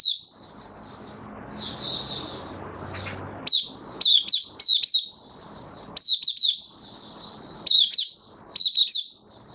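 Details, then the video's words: White-eye (Mata Puteh), a kept bird recorded 18 May 2022 after completing deworm treatment, opens with a thin sustained twitter, then delivers clusters of bright, rapidly sweeping high whistles separated by short pauses, with faint background rustle. "Mata Puteh Kitaro buka sing"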